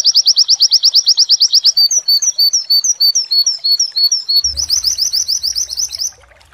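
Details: White-eye training song in the wit wit style joined with imitated mantenan phrases; a loud rapid even trill gives way to varied slurred high whistles, then the fast trill returns before fading.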